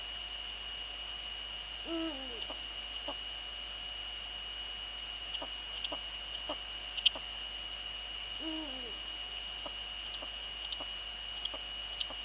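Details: Eurasian eagle-owls in the Netherlands on 2 February 2013 at 19:15 in the evening, female at the nest with male nearby; two low, downward-bending hoots several seconds apart among soft scattered clicks and a steady high hum.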